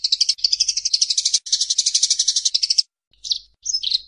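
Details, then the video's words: Fighting Eurasian tree sparrows, kept as tutor sound for songbirds: a long rapid rattling chatter of fast chirps for nearly three seconds, followed by a few separate twittering notes. "Masteran Burung Gereja Tarung"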